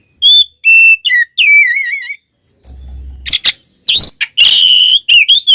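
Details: Oriental magpie-robin song meant to provoke other birds into fighting: loud pure whistled notes, some wavering, mixed with harsh buzzy bursts and rapid chattering phrases.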